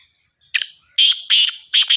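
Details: Black francolin giving its harsh rasping call: a clipped first note followed by three loud grating bursts in quick rhythm, the last split in two.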